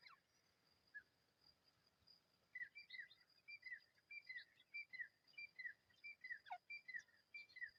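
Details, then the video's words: Partridge call used for hunting partridges: after a few scattered notes, a brisk run of short, slurred two-note chirps repeats about every half second against faint background hiss, with one sharp, high downward stroke. "Acha Teetar Viral Voice"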